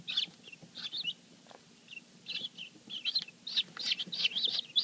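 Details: Helmeted guineafowl keets hatched the day before, several together, peep in high, thin overlapping chirps at a rapid, uneven pace of about three a second.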